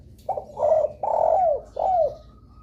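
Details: Lure call of a spotted dove to make other doves answer: a short opening note, a hoarse coo, a long rough coo curving downward and a last falling coo, with faint hum behind.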